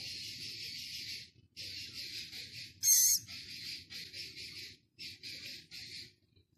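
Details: Six-day-old Philippine scops owl chick at a zoo: a series of breathy, raspy hisses in uneven bursts with short gaps, one louder, sharper squeal in the middle.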